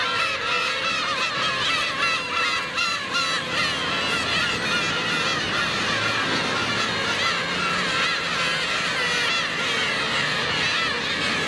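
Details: A dense chorus of black-tailed gulls gives harsh mewing and nasal wailing calls that overlap continuously at many pitches with no pause, as adult gulls cruelly attack a gull chick.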